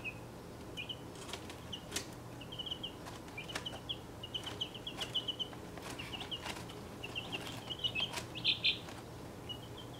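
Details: Chicks aged about a week and a half, six breeds together in a cramped travel box, peeping continuously in high, brief notes that come in rapid strings, with scattered scratching taps and wing flapping throughout.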